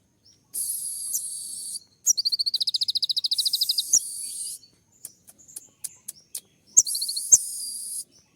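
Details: Sunbird (kolibri ninja) in 'tembak' style song, played to make other birds answer: a long, fast run of high ticking notes between stretches of steady hiss, then scattered thin chips and a final bright trill.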